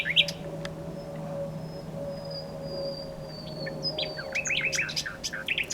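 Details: Nightingale song opening with a few sharp notes, then a long thin whistle sliding slowly downward, followed by a fast run of looping repeated notes; faint steady hum beneath.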